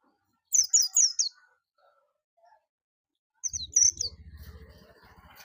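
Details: High, bright chirps from an oriental white-eye in two rapid runs of notes, the second run followed by a low rumbling background noise.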